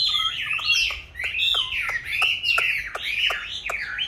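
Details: Chinese hwamei in a cage, kept since young and now in its fifth year, gives looping whistled phrases that swoop up and down, with crisp clicks recurring about every half second behind the song.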